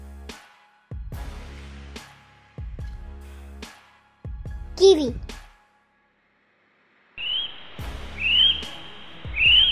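Shrill, high whistled notes, each sliding up then down, repeated about once a second by a kiwi, after a child-oriented announcer's speech and music.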